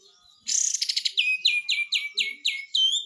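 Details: Lemon-bellied White-eye singing actively in its rapid besetan style: a harsh buzzy chatter, then a run of about six loud, high, clipped notes, each sliding sharply downward, delivered in quick succession.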